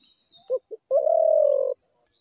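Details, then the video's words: One call phrase of a spotted dove: two quick soft hoots, then a sustained, smooth, low coo lasting about three-quarters of a second. Weak high bird notes are in the background. "ঘুঘু পাখির ডাক"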